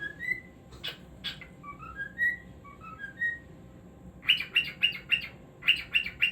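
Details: Singing cockatiel: clear whistled notes that slide upward in short phrases, followed by a rapid series of sharp, loud chirps repeated about every third of a second.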